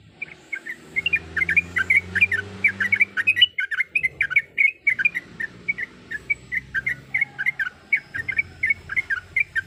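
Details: A breeding female Sooty-headed bulbul gives quick, chattering chirps to call the male, dense at first and then steady, with a low droning sound during the opening seconds.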